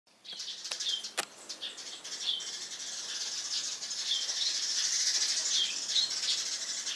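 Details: Eurasian tree sparrows on a house roof in the morning, chattering loudly and cheerfully: dense, overlapping high chirps that build into a continuous bright twittering after a few sharp clicks at the start.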